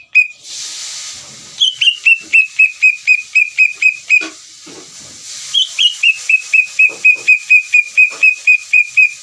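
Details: Lure song of a greater green leafbird meant to make another leafbird answer: two long, rapid series of clear whistled notes, each series starting higher and settling lower, over a constant background hiss.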